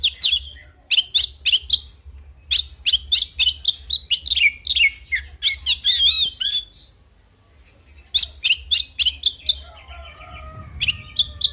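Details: Oriental magpie-robin giving a fighting song: a fast, varied run of sharp whistled and chirped notes in quick bursts, with a short pause midway, then more rapid phrases and a few lower, drawn-out notes near the end.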